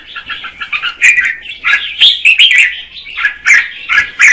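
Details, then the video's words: Red-whiskered bulbul female, singing to stimulate a male, gives lively slurred whistles and chattering notes in quick succession, with brief high flicks between phrases. "Chào mào mái hót kích trống Red-whiskered female"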